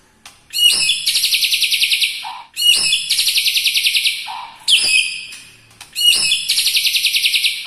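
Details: White-rumped shama delivering a song full of lovebird, kapas tembak and cucak jenggot imitations; each phrase opens with a sharp note, then a fast buzzy rattling trill, repeated roughly every two seconds, with short low chirps between.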